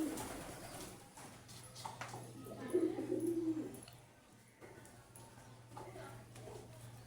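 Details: Several domestic pigeons in the owner's loft calling a lot give low, throaty, rolling coos in bursts, loudest midway, over a steady electrical hum and faint indoor noise.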